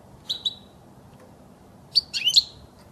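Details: European goldfinch song for tutoring young birds: a paired high chirp, a pause, then a rapid tinkling burst of twittered notes.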